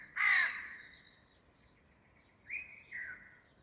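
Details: Crow in a garden giving one loud, harsh caw, followed after a pause by two softer, drawn-out calls, with faint bird chirps in the background.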